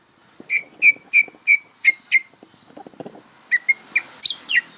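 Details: Bongkaran song of a greater green leafbird learning to sing. A row of six steady, pure whistles is followed by a short gap and quicker rising and falling slurred whistles.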